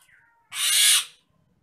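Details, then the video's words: A single loud, harsh screech of about half a second from an agitated Nias hill myna, preceded by a faint descending whistle, then silence. "MASTERAN BURUNG JALAK NIAS NGAMUK"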